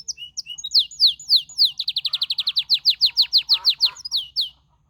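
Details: A canary sings a few scattered high chirps, then breaks into a fast, regular series of sweeping whistled notes. The notes are loud and even, then stop abruptly into silence.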